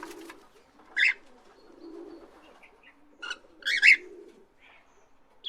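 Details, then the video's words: Parrot uttering harsh squawks and a brief burst of quick chattering notes, over a low murmuring background. "Beautiful parrots chirming and making beautiful sounds"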